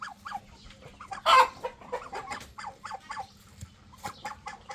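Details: Chicken clucking in a rapid series of short, rising-falling notes, with one loud harsh squawk early on and steady soft clucks throughout against a faint low hum.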